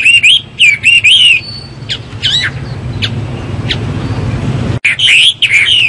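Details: A Chinese hwamei sings in the morning: quick looping whistle phrases, a pause with a few isolated sharp notes and a low rumble, then another burst of full, warbling whistles.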